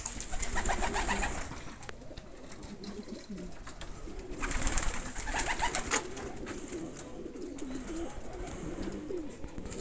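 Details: Andalusian homing pigeons kept in a loft, a chorus of low throaty coos from many birds overlapping, with bursts of wing flapping and rustling around the middle and near six seconds.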